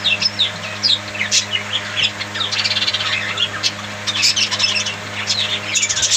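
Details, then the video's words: Budgies squawk and chirp in an animated jumble of sharp high notes and warbling, louder bursts rising above a low background hum. "Bird Chirping Sound Parakeet friend's budgies parrot"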